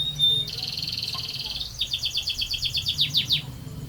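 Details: Canary in gacor form, meaning in constant full song, delivering a long rolling phrase. A steady high buzzy trill breaks into a string of rapid slurred whistles at an even pace.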